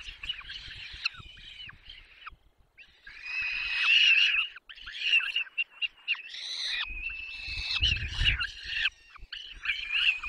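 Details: Young peregrine falcons at the nest during a long feeding, Barycz Valley, Poland, 6 May 2021: loud, high, drawn-out wailing cries with wavering pitch, in bursts separated by short pauses, with a brief low thud near the end.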